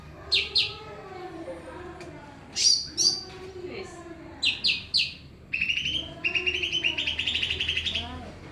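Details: Greater green leafbird singing energetically amid background noise: sharp high chirps and whistled notes in short bursts, then a fast rapid-fire trill of repeated notes near the end, over a low steady hum.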